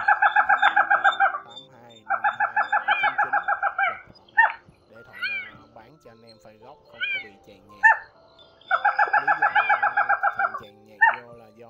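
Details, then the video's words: Brown-throated crake (gà nước họng nâu), male and female, in a lure recording for catching birds in nets at night. Repeated bursts of fast, evenly spaced nasal notes alternate with separate short, sharp chirps. "Tiếng Bẫy Gà Nước Họng Nâu , QUỐC HỌNG NÂU Bẫy Lưới Đêm 2024 , Gà nước họng nâu trống mái full"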